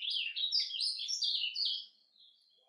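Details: Surdina song of an ultramarine grosbeak in nature: a quick run of high twittering, slurred notes lasting under two seconds, then fading to near silence.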